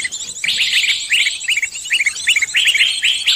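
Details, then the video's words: Trapping lure of many birds together, meant to attract every kind: a thin high trill runs throughout while a series of short, sharp chirps repeats in a quick, steady string. "Pikat burung semua jenis terampuhhh"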